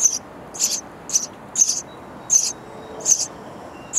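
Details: In a bird house nest, baby sparrows chirp for parents bringing insects: regular raspy high bursts roughly twice a second, with a faint thin whistle running between them.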